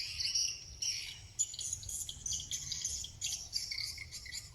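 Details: Swiftlets at an eleven-month-old bird's-nest house in Cambodia, many flying on the roof, give a dense, overlapping chatter of high, thin chirps and twitters, a steady flock sound with a faint low hum underneath.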